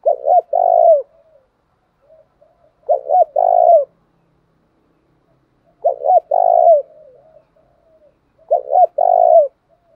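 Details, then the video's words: Spotted dove cooing to provoke rival doves into fighting; four phrases, each two short clipped notes then a longer falling coo, spaced about three seconds apart with soft murmurs between. "Tiếng chim cu gáy kích bổi nhanh nổi, hiệu quả nhất hiện nay, chim cu đất thúc đấu vấy bổi"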